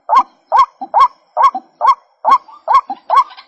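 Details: Clean run of white-breasted waterhen calls: loud, nasal, upward-bending croaks repeated evenly about every half second, each followed by a soft low grunt.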